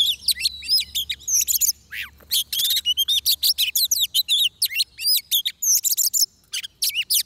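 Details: Oriental magpie-robin song at a trapping site with a decoy: rapid dense bursts of sharp whistles and chips, with one long falling note early and short pauses between volleys.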